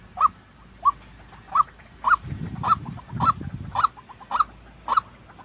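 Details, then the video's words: Real white-breasted waterhen calling, used to train decoy birds for trapping; ten harsh upslurred notes about every half second, soft notes between, and low rumbling noise midway. "tiếng chim quốc thật"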